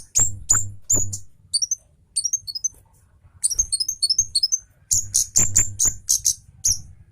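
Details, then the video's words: An agitated Javan orange-headed thrush delivers a fast, dense song of sharp notes. Thin high slurred whistles come in short clusters, then loud rapid chirps, with soft thumps below. "BURUNG KEMADE CABE JAWA NGAMUK SPEED RAPAT TEMBAKAN TAJAM SAMPAI BUKA PARUH"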